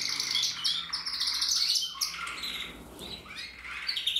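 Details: Portuguese Harlequin canary from a German breeding aviary in 2024 singing a dense, fast song of high buzzy trills and chattering phrases that shift in pitch, with rapid repeated notes throughout.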